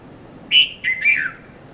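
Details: At Mount Lavinia, Sri Lanka, a red-vented bulbul gives a rich three-part call in the 5:30 to 5:40 a.m. morning hour, first note strong, last note descending smoothly; calm background.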